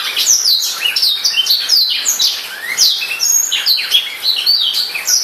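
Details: Steady, fast, high twittering song of a newly bought black-throated canary kept indoors, with sweeping whistled notes and chirps running without a break.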